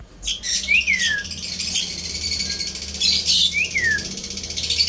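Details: Pet Indian ringneck parrot giving two harsh, screechy bursts, each followed by a short high whistle that rises briefly then slides downward, about three seconds apart, with a faint steady low hum in the room.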